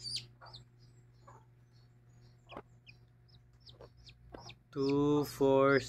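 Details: Chicken family of a mother hen with chicks: scattered thin, falling chick peeps and faint clucks, then two loud, rich, nasal squawks near the end, each about half a second long, over a background hum.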